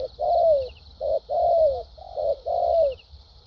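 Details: Structured thúc gù coo of a caged Vietnamese decoy spotted dove: three paired phrases, each a short coo then a long note bending downward, evenly spaced about a second apart.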